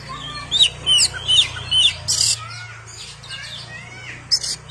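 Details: Oriental magpie-robin giving a run of quick repeated twittering notes, then sliding whistles and sharp chirps, over a constant low humming background.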